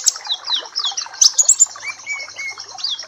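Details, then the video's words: Papua black-capped white-eye tutor song, high slurred chirps and twitters in quick succession, followed by a few clearer, level whistled notes lower down. "Masteran dan terapi pleci Papua black cappe !!!"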